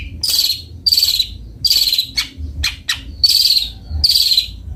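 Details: Sweet-voiced song of a long-tailed shrike, locally cendet bondol: buzzy, rasping high bursts about half a second long, interrupted by a few brief sharp clicks, repeated at an uneven pace.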